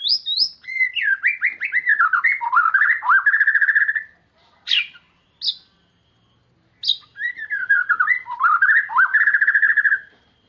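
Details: White-rumped shama singing steadily (gacor), for stimulating quiet or young birds: long warbling whistled runs of quick rolling notes, twice interrupted by short sharp high calls and a brief pause before the warbling resumes.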